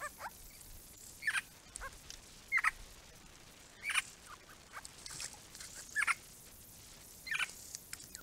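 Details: A Grey-crowned babbler from a small group visiting a backyard pond gives short, harsh double-noted calls. They repeat roughly every one to one and a half seconds against steady background hiss.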